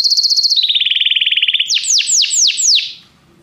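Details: Canary training song meant to prompt a pet canary to sing: a fast, pulsing high trill that steps down in pitch, then five loud, sweeping downward whistled notes before fading into silence.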